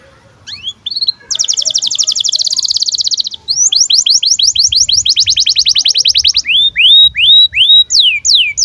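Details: Canary chirps in breeding condition, meant to coax young canaries into singing: a short rising call, a long dense buzzy trill, a rolling run of quick notes, then slower clear whistled downsweeps.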